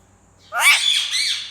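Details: Pet parrot, described as naughty and talking in Urdu, lets out one loud, harsh squawk lasting about a second, broad and buzzy with a falling tail, in a quiet room.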